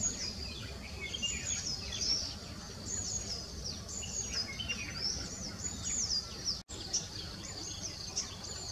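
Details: Spot-breasted fantail courting: high, thin whistled notes in quick jingling phrases, sliding up and down and repeated throughout, over a steady background hiss with a brief gap near the end.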